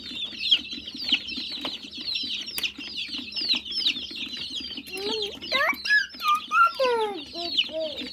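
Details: A small group of hungry chickens calling together: a dense, rapid chorus of high chirps throughout, joined after five seconds by louder wavering and descending calls.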